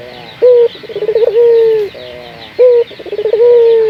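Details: Caged local puter dove cooing as a lure to prompt other doves to call: a short clear note, a quick rattling series of pulses, then a long gently falling coo, the pattern repeated twice.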